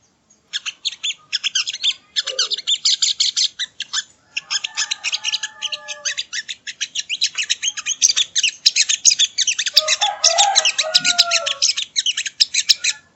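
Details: Sogo ontong (sogon) training song for cage birds: continuous rapid chattering trills and buzzy twittered notes, broken by a few short pauses, with occasional lower slurred whistles mixed in.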